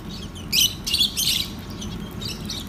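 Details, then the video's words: Lovebirds at feeding time on soft food, giving short bursts of high, bright chirps in two or three quick clusters, then quieter scattered twitters over a steady low background hum. "LOVE BIRDS MEAT TIME SOFT FOOD CHIRPING SOUNDS"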